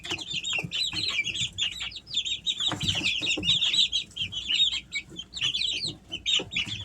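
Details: A flock of Easter Egger chicks aged three weeks, kept at home in summer, peeping almost nonstop in dense, high, twittering notes from many birds at once, with faint tapping.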